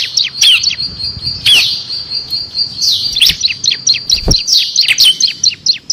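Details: Bar-winged prinia song used as a training model for competition songbirds, filled with six variations: dense high chattering notes with sharp downward sweeps and a sustained high trill running through, delivered continuously and energetically.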